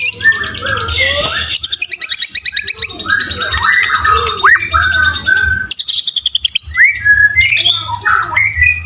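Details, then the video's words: Caged White-rumped shama in fighter song, mixing fast rattling trills, varied whistled slurs and buzzy phrases in a continuous, energetic stream. "Murai Batu Full fighter materi mewah"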